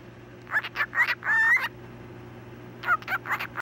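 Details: Female cockatiel talking, saying "hello pretty bird" or "such a pretty bird" in a thin, high, raspy voice, running short syllables together into a phrase; recorded 25 October 2017.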